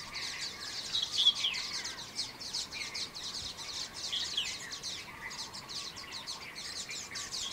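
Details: Common waxbills calling together, a flock of escaped cage birds in Kaohsiung, Taiwan, on 18 January 2018. Rapid overlapping chips, about four per second, form a busy high twitter over soft ambient noise.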